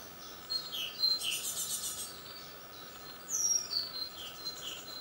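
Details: Young great tits fledging from a nest box on a balcony at 7 in the morning, second brood; thin high chirps and short tseep notes scattered through, with faint hiss in the background.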